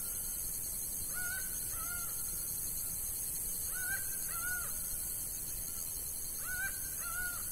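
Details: Laughing falcon in the sertão of Bahia, Brazil, sings loud, nasal two-note calls, each pair repeated about every three seconds, over a steady high hiss of insects.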